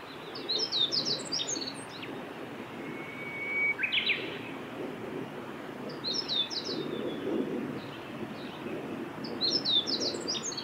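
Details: Male meadow bunting singing at Lake Miyagase, Japan, on 6 May 2016: short bursts of high, sharp, jumbled notes every few seconds over steady low background rumble.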